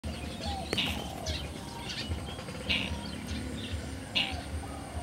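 Slaty-breasted Rail giving short, sharp, high notes spaced roughly a second apart, over a steady low rumble of background noise.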